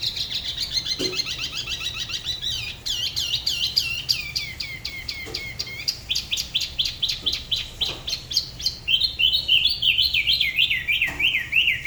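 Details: Spot-throated babbler from Dalat singing solo at the La Ba river, its style differing from other regions. A sustained stream of rapid notes shifts up and down in pitch, finishing with repeated downslurred phrases.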